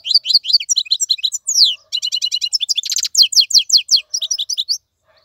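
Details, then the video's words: Continuous lively song of a caged, wild-caught European goldfinch, rapid twittering notes, downslurred chirps and a short buzzy trill, repeated in a quick, jangling flow. "مقنين خلوي يغرد بصوته النظيف, تغريد حسون بري دون توقف"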